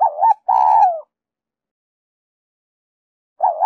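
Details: Spotted dove cooing in Giọng Kim style used to lure wild doves: one brief double coo and a longer falling coo, then a pause before the next phrase begins.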